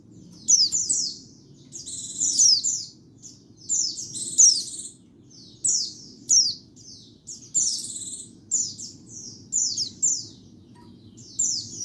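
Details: White-eye song used for luring birds: short bursts of high, thin, jumbled chirps and twitters repeated every couple of seconds, with a steady low hum beneath.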